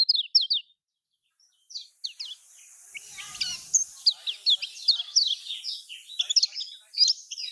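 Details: Lemon-bellied white-eye (kecial kuning) song of Lombok, played to draw silent caged birds into singing: a few high chirps, a brief pause and a faint noisy burst, then a dense run of quick, high, slurred whistles.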